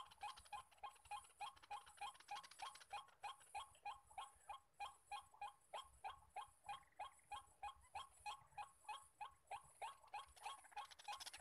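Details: Long monotonous series of nasal croaks from white-breasted waterhens, wild males calling all around a decoy-trapping spot, notes repeating at a steady pace of over three a second.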